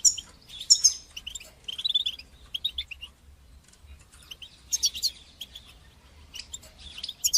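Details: European goldfinch training song in the batbata and satsata styles: scattered high twittering phrases and short jingling trills, softer in the middle, with quiet gaps of about a second between bursts.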